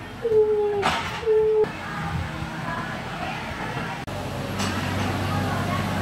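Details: Greater coucal in the morning giving two deep, hollow, steady hoots about a second apart, over a constant rumble of traffic.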